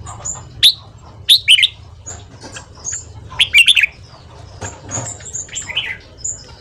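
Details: Red-whiskered bulbul's fast morning ché song for training: short loud warbled bursts separated by pauses, sharp rising notes and quick chatters, over a low rumbling background and soft distant whistles.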